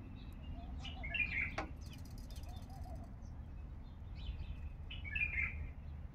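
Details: A male bulbul with a heavy, deep-throated voice gives two short, liquid, warbling phrases a few seconds apart, with some lower chuckling notes, over a steady low hum.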